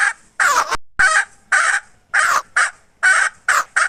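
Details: Hen from 2021 giving a string of harsh, broken, raspy squawks of uneven length with short gaps, some notes cracking and clipped, against a quiet background.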